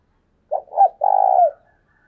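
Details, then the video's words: Spotted dove kept as a decoy bird, calling in the urging 'thúc sung' style: one low coo phrase of two short notes, then a longer drawn-out vibrating coo that falls away at the end. "Chim cu mồi thúc sung"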